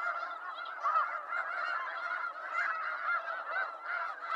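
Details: Snow geese from eastern North America, many birds honking at once in a dense, unbroken chorus of short nasal notes, with a few louder yelps standing out.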